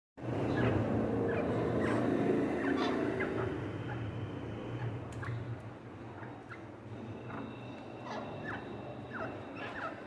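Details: A francolin at eating time gives low, dense clucking chatter in a steady rapid run, with faint scratching clicks in the background.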